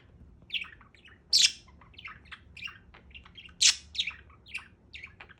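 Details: Budgerigar kept as a pet chattering steadily: quick warbling chirps and clicks with two loud sharp squawks, notes tumbling along about every half second against a faint background hum.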